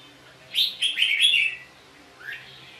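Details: Red-whiskered bulbul during a fight: one quick whistled phrase of three or four bright notes, followed after a pause by a soft rising note.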